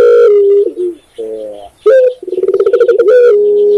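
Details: Indonesian spotted dove, locally tekukur: a falling coo and a softer double note, a pause, then an abrupt accented note followed by fast pulsing coos and a sustained flat ending coo.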